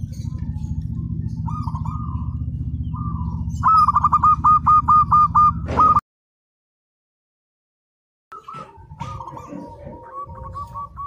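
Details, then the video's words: Local zebra dove singing, used to train other birds: a loud low droning hum with faint coos, then a clear fast rolled string of mid-pitched cooing notes, a short silence, and more rippling coos. "Perkutut Lokal Gacor"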